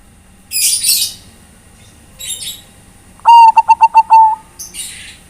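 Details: Zebra dove of the Bangkok type calling its companions, a tutor recording: one cooing phrase of about six quick pulsed notes running into a drawn-out mellow tone, preceded by harsh hissing bursts.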